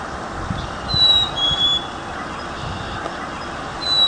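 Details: Black-capped chickadee (Poecile atricapillus) in Toronto in spring, a clear two-note "hey-sweetie" whistle, high then slightly lower, repeated over steady hiss: its mating-season song, not the call heard from this feeder-loving winter bird.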